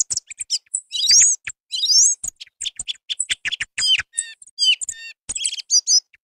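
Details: Song thrush singing in a recording made as a hunting lure. Short phrases of sharp chirps and ringing notes alternate with brief gaps. Two loud buzzy bursts with rising, harmonic-rich notes stand out, and most notes are high-pitched.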